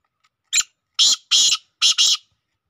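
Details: Black francolin calling: a short harsh note, then two grating notes close together, then another pair, all loud and raspy against silence.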